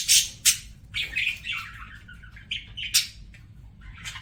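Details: Budgerigar singing: a few sharp, high squawky chirps and short buzzy notes with brief gaps between them, a loose scattered phrase rather than a continuous warble.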